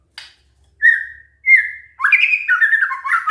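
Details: White-rumped shama singing as a lure so that other shamas respond: a faint note, two separate clear whistles, then a busy warbling phrase of mixed rising and falling whistles.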